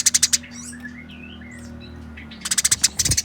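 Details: Eurasian tree sparrows in a fight: a quick burst of harsh notes, then a pause filled with soft squeaks and twitters, then another rapid chatter run with a low thud near the end.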